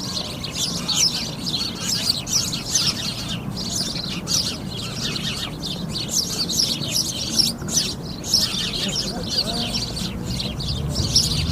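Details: A group of sparrows keeps up a lively chorus of sharp, high chirps and tweets, overlapping constantly with brief dips in intensity, over a light low-frequency background murmur.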